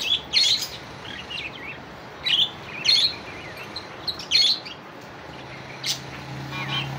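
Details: Budgerigar calling to a rival: bright, bursting chirps in clusters spaced about a second apart, with softer twitters between them and a low hum late in the recording.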